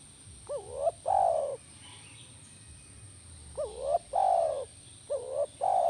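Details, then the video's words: Spotted dove (tekukur) calling, played as therapy to make a kept dove answer: a short rising coo followed by a longer, steady, mellow coo, the two-note phrase repeated three times over a quiet background. "Pasti Nyaut Burung Tekukur Anda Dengan Terapi SUARA BURUNG TEKUKUR INI"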